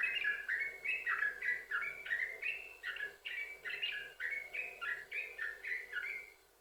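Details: Lure recording of a yellow-vented bulbul in unbroken 'sambung ropel' song, used to get other bulbuls singing; rhythmic bubbly couplets repeated rapidly, fading out at the end.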